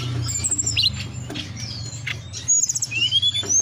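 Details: Mountain forktail (tledekan gunung) lure to make birds sing and come into breeding condition: high squeaky chirps and rising whistled streaks in quick bursts, with a low droning hum throughout.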